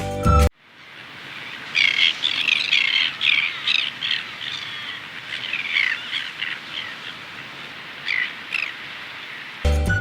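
Greater crested terns give harsh, grating, overlapping calls in a busy chorus for about seven seconds, with short bursts of music at the start and end.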